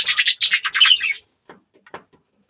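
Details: Pet budgerigars chirping: a fast burst of loud, harsh, warbling chatter for just over a second, followed by a few scattered soft clicks in a small room.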